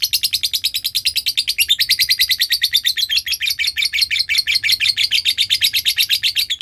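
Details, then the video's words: Lovebird performing ngekek, a long trilling song used as a lure sound for training birds: a fast, high chattering trill of rapid repeated notes running unbroken for over six seconds. "Belajar ngekek panjang,suara pancingan love bird ngekek"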